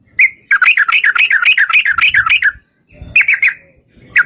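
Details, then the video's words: Rapid rolling 'ropel' song of a yellow-vented bulbul, meant to make other bulbuls reply: one sharp note, a two-second stream of quick wavering notes, a pause, then a shorter burst and a final note. "trucukan gacor TARUNG ROPEL PANJANG pancingan trucukan agar bunyi jadikan burung trucuk gacor NYAUT"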